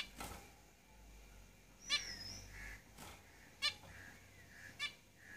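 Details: Caged zebra finches giving short nasal calls with stacked harmonics, three spaced notes at irregular intervals over faint low background hum.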